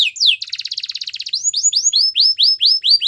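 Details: Belgian canary song opening with a quick falling note, then a dense rapid trill, followed by about nine clear, well-spaced upward-then-falling whistled syllables repeated at a steady pace.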